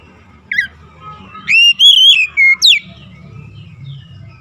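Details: Oriental magpie-robin lure song to coax silent birds: one sharp note, then a loud phrase of sustained wavering whistles and a final rising slur, over a low background rumble.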